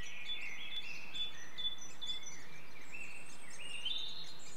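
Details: Great spotted woodpecker young being fed at a nest-hole in woodland at Clyne Woods, Swansea, Wales, in May. Steady, buzzy chattering shifts gently in pitch, with thin higher notes above it.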